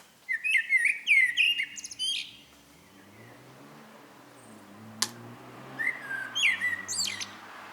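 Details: Evening song of a common blackbird: two rich fluted phrases, each ending in thin high squeaks, split by a pause of about three seconds, with a sharp click and a low hum in the background.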